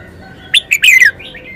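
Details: Loud, crisp wild-style (phleng pa) phrase from a red-whiskered bulbul: three quick whistled notes rising into a fast descending flourish, followed by soft trailing whistles, with a faint steady tone beneath.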